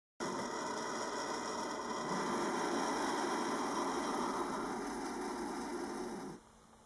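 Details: Two young turkey vulture chicks that hatched under a cabin-trailer in northern Minnesota, USA, give a long, harsh, breathy hissing roar when disturbed, unbroken for about six seconds, with a faint steady whine behind it. The mic sits in a hole in the trailer siding.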